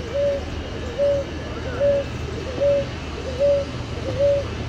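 A ruddy ground dove gives six short, soft, low coos at a steady pace of a little under one per second, over a low background rumble.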